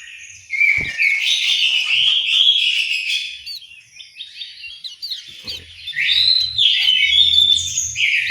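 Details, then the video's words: An orange-headed thrush sings in an aviary at Malang, East Java, Indonesia, with long, loud, continuous warbling of fluty and scratchy notes. There is a short pause midway, then the full song returns, with faint low knocks. "suara burung anis merah"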